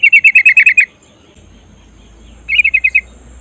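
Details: Female yellow-vented bulbul calling for a male: a rapid rattle of about eight bright chirps, a pause with low hum, then a shorter burst of five or six chirps.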